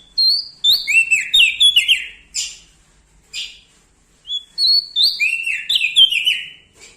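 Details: Loud, energetic Bar-winged prinia from Lombok: two rapid bursts of sharp, slurred whistled notes stepping down in pitch, separated by a pause with a few soft, breathy chips.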